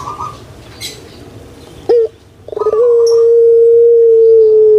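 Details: Puter pelung collared dove kept in Indonesia, a lure recording for quiet birds: after a brief clipped note, one long, sustained, steady coo runs to the end.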